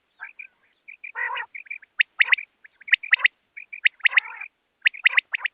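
A rain quail calls: quick runs of short, high piping notes mixed with a few lower, harsh churring notes and sharp clicks, about one note per second, with no background.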